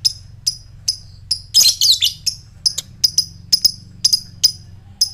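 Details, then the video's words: Fighter lovebird ticking to provoke other lovebirds into a ngekek: sharp, high, irregular clicks with a short, rough, chattering burst early on. "Lovebird fighter ngetik NGEKEK koek,ampuh memancing lobet bahan cepat respon dan NGEKEK"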